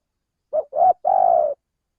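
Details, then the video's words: Lure call of a male spotted dove from Indonesia, meant to attract birds: a clipped first coo, a fuller second note, and a sustained, vibrating, slowly descending third note. No other sounds. "suara pencingan burung tekukur belajaran pikat auto langsung bunyi"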